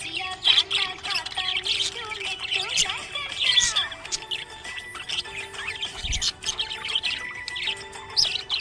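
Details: Budgerigar chirping happily: dense, rapid warbled chirps and squeaky notes, often several overlapping, with a steady backing of music tones running underneath throughout.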